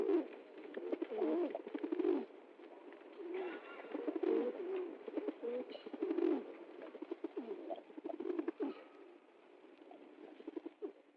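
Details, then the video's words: A flock of pigeons cooing, murmuring throaty coos about thirty times a minute at uneven intervals, voices overlapping with light rustling and clicks. "Голуби курлыкают, звуки голубей"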